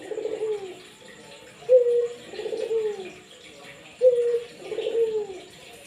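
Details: Persistent Barbary dove coos, used to encourage other doves to start calling: each phrase opens on a crisp steady note, then slides into a low vibrating downward coo, repeated about every two seconds.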